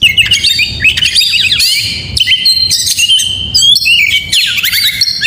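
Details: Oriental magpie-robin singing in the morning: a loud, continuous run of rich whistled phrases, sliding notes and sharp trills, varied and rapid, with brief buzzy bursts between clear fluting tones.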